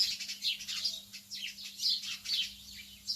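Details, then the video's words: Early-morning lovebirds chattering in a dense stream of shrill, high tweets and short squeaky notes, about two per second, overlapping one another with a faint low hum behind them. "تغريد طيور الحب في الصباح الباكر"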